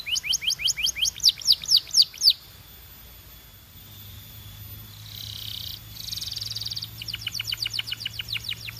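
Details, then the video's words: Song of a Belgian canary: quick repeated downward-sweeping notes, a pause, soft buzzy trills, then another fast series of descending chirps. "Impossible If Your Canary Does Not Immediately Sing‼️ Belgian Canary"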